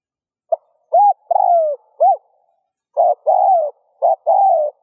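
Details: Spotted dove cooing, used to stimulate other doves to coo: mid-pitched hollow notes, a lone short note and hooked coos, then after a pause two phrases each pairing a clipped note with a long, slightly falling coo.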